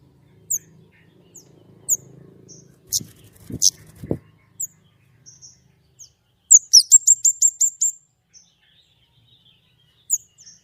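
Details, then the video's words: White-rumped shama, gacor nembak song with clear tone: scattered high chips and a soft low murmur of voices early on, then a quick burst of seven loud, high, repeated whistled notes. "gacor nembak!!! suara jernih"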